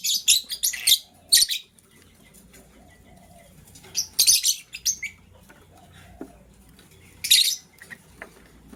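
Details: Green and blue lovebirds in the morning, scrambling for vegetables; rapid volleys of shrill, harsh chirps in three clusters, with quieter pauses and light rustling.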